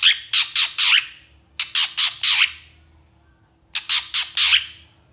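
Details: Excited, energetic long-tailed shrike: harsh, grating squawks in three bursts of three or four quick notes each, with a pause of about a second between bursts.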